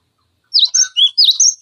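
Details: Cinereous tit tutor song for training other songbirds, heard as two quick phrases of high, slightly slurred whistled notes, each swooping down, then up, then dropping to a lower note, in a quiet background.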